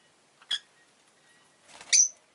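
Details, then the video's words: Two sharp, harsh chirps from a rosy-faced lovebird, the second longer with a brief whistled edge, preceded by a soft rustle. "Lovebird Chirping Sounds"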